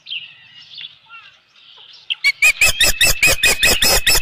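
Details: Evening osprey nest scene, 15 July 2018, with a headless fish delivered: soft, faint calling at first, then a quickening run of loud, harsh whistled chirps.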